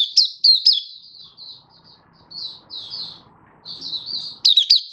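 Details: Happily singing kept Malaysian white-eye in Singapore, warm sunny day, 20 March 2023: a few sharp high chirps, then a soft thin warble of drawn-out notes, ending in another loud chirp burst, with faint low hum.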